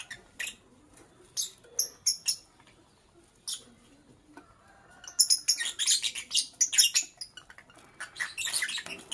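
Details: Lovebird chirping in the morning: scattered sharp, high-pitched chirps in the first half, then a denser burst of shrill, overlapping chirps and squeaks after about five seconds.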